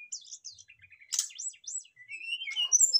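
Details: Brown-chested jungle flycatchers answering each other with learned song phrases: looping high whistles, a sharp burst, arched slurred notes, then a long gliding whistle with overlapping chirps.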